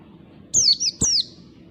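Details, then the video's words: Lure recording of a wild oriental white-eye: three bright, high, falling whistles in quick succession, the last slightly separated, over a muffled low background. "pancingan pleci ngalas"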